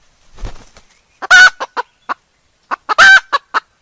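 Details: Decoy hen cackling, 2021: after a faint low rumble, two phrases of a loud rasping squawk surrounded by crisp separate clucks, roughly three to four clucks per phrase.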